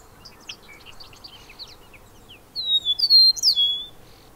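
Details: Bobolink singing a loud, metallic, bubbling burst of liquid notes after a softer run of scattered chirps, with sweeping, twanging tones that slide up and down, in a quiet open setting.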